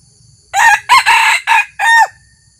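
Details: Decoy red junglefowl newly taken out for the first time to lure wild junglefowl, crowing: a harsh broken crow of four bursts over about one and a half seconds, a short opening note, two run-together middle notes and a drawn-out falling end.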